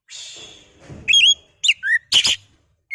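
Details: Oriental magpie-robin (kacer) song used as a lure to rouse another bird into singing: clear, high whistled notes, some sliding down, in short separate bursts with gaps of quiet and faint low background rustle.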